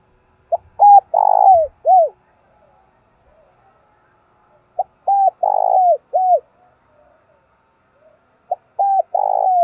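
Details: Decoy spotted dove, a captive bird used daily to lure wild doves, giving urging and calling coos in the 'thổ' voice style; three mellow cooing phrases, each a short note, two hooting notes and a falling final coo, in otherwise quiet surroundings.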